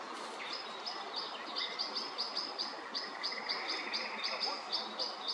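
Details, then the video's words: Pied flycatcher against a white-backed woodpecker, 29 May 2024: rapid series of thin, high chip notes about four per second over a soft background hiss. "Мухоловка-пеструшка против белоспинного дятла"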